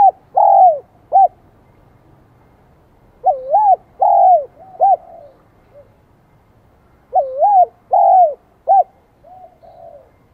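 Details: Vietnamese spotted dove song in the high 'giọng son' voice: the same cooing phrase repeated three times about every four seconds, each a looping coo, a longer slurred note and a short clipped ending, trailing off with softer notes.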